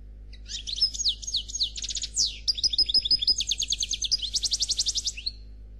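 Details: European goldfinch singing in the Noir Khalwi style, a flawless song: a rapid, continuous run of high twittering notes, buzzy trills and sweeping whistles, with fast repeated pulses near the end and a quiet steady hum behind.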